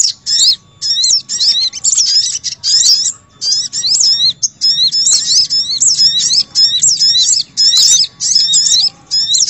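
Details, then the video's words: Crimson sunbird lure sound for calling wild birds: steady series of short, high, squeaky twitter bursts, about one each second, separated by small silent gaps. "Suara Pikat Burung Sogok Ontong Ribut"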